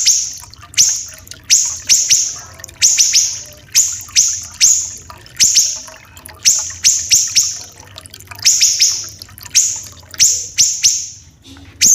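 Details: Siri-siri kecil (Common iora), a bird of Sumatra and Kalimantan used to tutor caged magpie-robins. Piercing high strokes, each trailing into a buzzy held tone, come singly and in quick pairs or triplets through a steady background of water.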